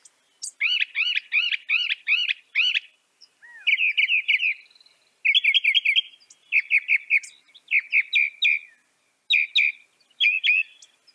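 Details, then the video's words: Northern mockingbird, the only mockingbird common in North America, singing a varied medley: a phrase of five or six arched chirps repeated in quick succession, then buzzy trills and changing chip series with short pauses between phrases. "Veja o canto do pássaro, ave zombeteira"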